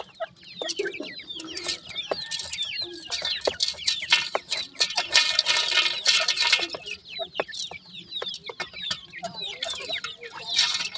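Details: Grey francolin chicks peep rapidly, around three notes a second, high and slurred, with a busy patch of hissing rustle midway and faint clicks.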